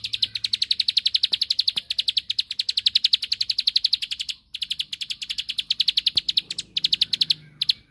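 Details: Bar-winged prinia, rice-field form, in 'ngebren' song meant to provoke a rival to answer: continuous quick series of high, clipped ticking notes, roughly four a second, with a brief break midway and short stutters near the end.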